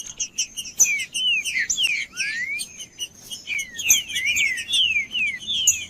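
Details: Green-winged saltator singing heavily to warm up other saltators and train young birds; busy sequence of whistled notes, some rising, most sliding downward, repeated a little over twice a second.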